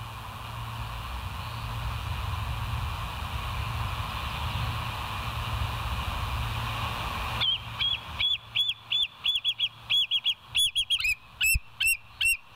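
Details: Bald eagles on a live nest cam, 28 August 2023, 07:02. Several seconds of steady wind-like rumble, then a run of high, thin, chirping notes repeated rapidly, growing louder toward the end.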